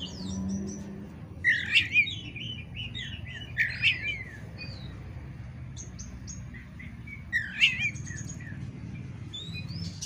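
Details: Oriental magpie-robin (kacer) song used to provoke a rival into fighting: bursts of rapid, buzzy chattering mixed with high chirps, repeated every two to four seconds, over a noticeable low rumbling background.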